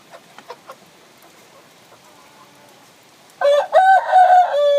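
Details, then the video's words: Crowing rooster beside a hen brooding eggs: a few soft clucks, a quiet stretch, then a sudden loud crow with a harsh start and sustained, steady notes. "Gà trống kêu mái ấp trứng, âm thanh gà gáy"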